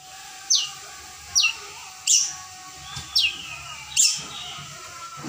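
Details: A young long-tailed shrike, newly fledged from the wild, learning to sing, gives sharp, high notes that slide steeply downward, repeated about once a second, over a faint steady hum.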